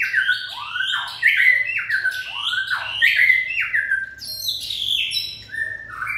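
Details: A white-rumped shama in fiery peak condition, 2020 season, repeating upward-swooping whistled phrases about once a second, mixed with buzzy chatter and high thin notes.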